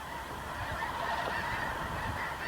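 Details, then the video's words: Thousands of Snow Geese returning in November from field feeding areas to resting flocks in New Mexico desert winter quarters, a dense continuous chorus of overlapping honks blending into a steady roar of many birds. "still more thousands returning from their field feeding areas to resting places among the flocks already there"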